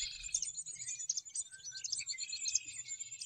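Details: Birds singing on a golf course in Morden: a steady, high-pitched twittering chorus of quick chirps and short trills from several birds overlapping, over faint low background rumble.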